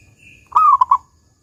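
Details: Zebra dove (local perkutut) known for a strong 'kung' voice, used as a lure to make other doves sing: one short phrase, a mellow sliding coo followed by two quick bubbling notes, with a faint high hum beforehand.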